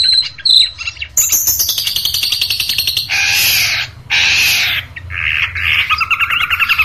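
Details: Tutoring recording of a long-tailed shrike, meant for training caged birds into strong contest singers: loud, varied song with fast ticking trills, descending whistled slurs, harsh buzzy bursts and rapid chattering phrases, with a faint low hum behind.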